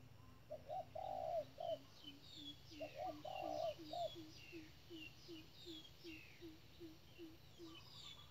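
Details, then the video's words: Spotted dove acting as a trap decoy gives two cooing phrases, short notes flanking a long coo, over a steady string of low rhythmic notes and thin high chirps from other birds. "bẫy chim cu gáy. bổi thúc lợi cốt k dám chung cây"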